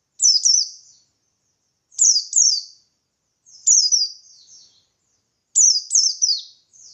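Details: Pleci buxtoni white-eye in gacor ngalas song, played to provoke other white-eyes into answering: high, thin, descending slurred whistles in quick doublets and triplets, phrases repeated about every two seconds with silent gaps.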